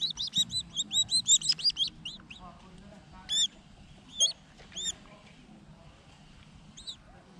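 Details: Collared falconets during hunting training. A quick series of shrill, high, sharply rising-and-falling notes, about a dozen packed into the first two seconds, then three or four isolated similar notes spaced about a second apart. Low murmuring background.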